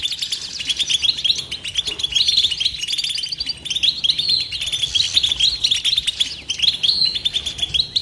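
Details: European goldfinch in continuous batbata twittering, without silence: a steady torrent of high tinkling chirps, rattling trills and repeated twangy phrases, lively and unbroken throughout.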